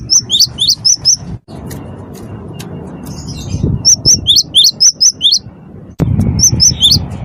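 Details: Cinereous tit of the wingko type singing constantly, used to provoke other birds to sing: bursts of sharp, high whistled two-note phrases repeated rapidly in sets, with a low rumbling background hum.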